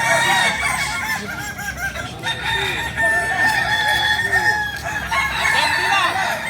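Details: Roosters of the Kukuak Balenggek breed, native to Solok, West Sumatra, crow together, long level tones held across several seconds over a bed of short arched syllables from other birds.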